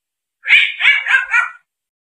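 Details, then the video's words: A grey parrot gives four quick, harsh, nasal squawks run together over about a second. They are mid-pitched and almost bark-like, with nothing else heard. "SUARA GREY PARROT"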